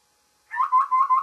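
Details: Babbler calling in the morning, a burst of four grating nasal notes close together at an even pitch, the last note cut short, in silence otherwise.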